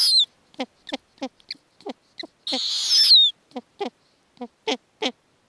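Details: Arctic snowy owl owlets on the nest with their mother bringing lemmings. Regular short, clucking pulses surround one long, rasping screech that slides down into a thin whistle.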